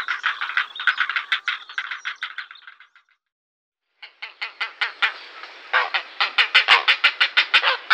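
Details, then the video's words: Grey heron giving quick runs of dry, harsh ticking notes, roughly three per second, that break off and then resume louder and more insistent after a one-second pause. "Canto de la Garza real (Ardea cinerea)"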